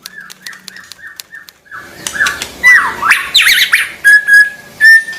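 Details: Tame caged white-rumped shama kept for song contests, in form when low but silent on a competition hanging pole: a run of short, clear whistled notes, then a rich burst of sweeping, warbled phrases mixed with sharp clicks, ending in pure whistles.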